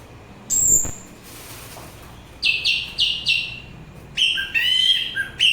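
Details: Orange-headed thrush song for therapy and luring birds: a high thin whistle, then four evenly spaced buzzy notes, followed by a quick varied phrase of whistled and trilled notes.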